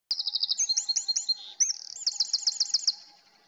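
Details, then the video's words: Eurasian wren singing a loud, fast song: rapid high trills and runs of repeated chirps, with a short pause midway before another bright trilled burst; a steady faint hum sits underneath. "OCELLS CANTANT - Cargolet - Chochín - Eurasian Wren - Trogodytes troglodytes"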